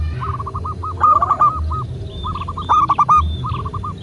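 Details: Local zebra doves (perkutut lokal) cooing together in a master recording for prompting doves. Overlapping series of short, rhythmic coo notes from more than one bird fill the clip, with faint higher chirps and a low hum beneath.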